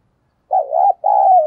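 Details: Loud, close spotted dove coo from a recording for luring wild doves: a wavering first note, then a long sustained second note cut off at the end.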